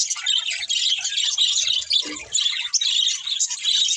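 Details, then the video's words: Budgerigars singing and chirping during feeding: fast, scratchy twitters and squeaky notes in a constant chorus, broken by a brief lower rustling sound near the middle. "Beautiful Budgies Singing and Eating | Love Birds Chirping Sounds"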